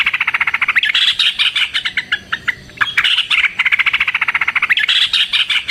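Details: Lure recording of a Sooty-headed bulbul's long fighting song, meant to provoke other bulbuls into answering. Dense, continuous chattering of quick bright chirps and squeaky notes, coming in rolling waves roughly every two seconds.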